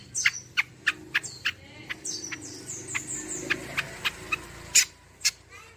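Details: Kecial kombo song for luring and tutoring other birds: repeated sharp high notes roughly every third of a second, mixed with thin descending whistles, against noticeable background hiss and hum.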